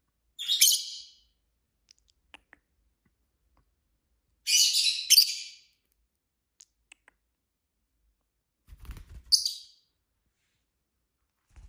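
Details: Chirping from a flock of five pet lovebirds: isolated shrill chirp bursts every few seconds, a double burst in the middle, faint clicks and a low thud between.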